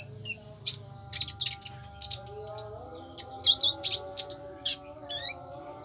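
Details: Konin song, fierce and energetic: bright high chirps that speed into dense bursts, then spaced single notes, with a low steady hum beneath.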